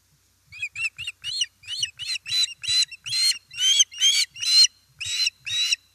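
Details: Fish delivered to an osprey nest in Estonia, 1 September 2019, late afternoon: a string of high, harsh whistled chirps, slowly lengthening and louder, about two per second.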